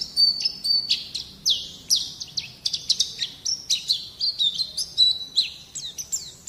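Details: Training song of a white-eye for coaxing young birds into singing; a lively stream of high whistled slurs, short falling notes and chattering chirps, delivered in quick overlapping phrases.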